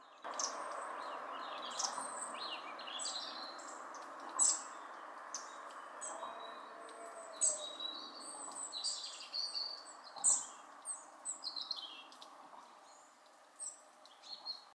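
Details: Hawfinches give sharp, high ticking calls and thin chirps in irregular bursts over a steady low background rumble, recorded during the red deer rut.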